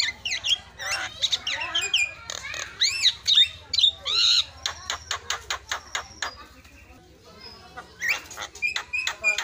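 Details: Lure recording of a Javan myna meant to make other birds sing: varied song of sharp clicks, chattering notes and looping whistles in quick irregular succession, with brief pauses between phrases.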